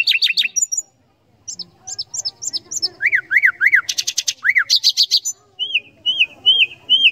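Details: Common nightingale singing rapid chip series, swooping looping whistles repeated three times, a loud rattling burst, then slow arched whistled notes.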